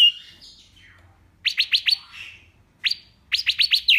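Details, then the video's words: Wambi mini with quieter song: a soft warbled intro, then quick clusters of four or five sharp downslurred chirps separated by brief pauses. "BURUNG WAMBI MINI GACOR SUARA BANYAK LANTANG JERNIH"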